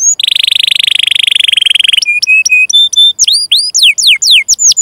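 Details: Canary song for training silent or young canaries: a long buzzy rattling trill, flat whistled notes in a short series, then quick falling whistled sweeps.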